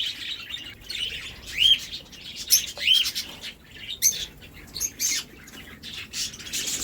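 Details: Hand-fed cockatiel chicks newly introduced to an aviary with their parents; cockatiels chirp with short, bright, rising whistles and scratchy notes in lively aviary chatter.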